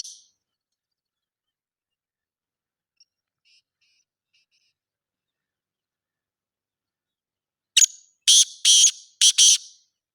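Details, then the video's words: Black francolin giving a harsh call near the end after a long quiet stretch: a sharp note followed by three to four rasping, buzzy bursts in quick succession, with no other sounds. "کالا تیتر کی آواز"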